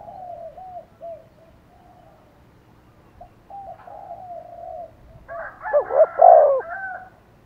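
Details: Spotted dove kept as a decoy, calling to provoke wild doves into answering: faint soft coos early on, then a loud, rich burst of overlapping hollow notes near the end.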